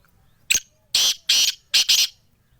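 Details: Sindhi black francolin, known locally as kala tetar, gives a sharp click and then a rasping phrase of loud, noisy, buzzy bursts: two well-spaced notes and then a closely joined pair, with little else audible.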